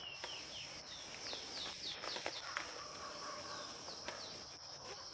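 Yellow-headed Caracara giving thin, high, downslurred screeches in quick succession, several per second, over a steady high insect whine.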